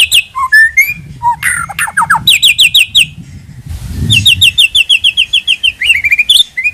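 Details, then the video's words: White-rumped shama lure song: mixed whistles and chatter, then fast repeated short notes in a steady rhythmic series, with a brief noisy rustle midway. "Pikat Suara Burung Murai Batu"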